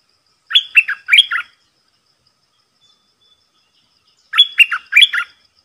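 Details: Decoy red-whiskered bulbul calling to draw in a territorial wild bird: two loud, bright bursts of four rapid warbled notes each, the second repeating the first after a pause of nearly three seconds.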